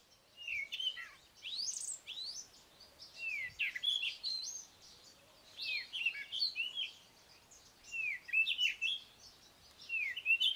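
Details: Cape Robin-Chat singing, not calling: varied, melodious phrases of quick whistled slurs and trills, high and bright, in bursts separated by short pauses.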